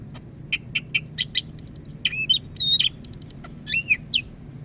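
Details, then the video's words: Greater green leafbird from Medan, North Sumatra, a popular Indonesian songbird kept by enthusiasts, singing loudly and busily: short high chirps, buzzy trills and whistled slurred notes in a varied, rhythmic sequence, with a low hum underneath. "Burung Cak Ijo Medan Gacor"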